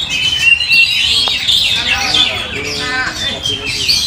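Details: Oriental magpie-robin song used to provoke other birds into singing: dense, varied high whistles and warbles with rapid trills and chattering phrases, continuous throughout.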